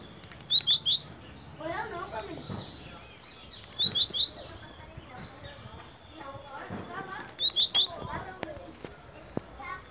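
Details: Blue-black grassquit singing three quick, high, buzzy rising bursts spaced roughly three and a half seconds apart, with human voices heard in the gaps.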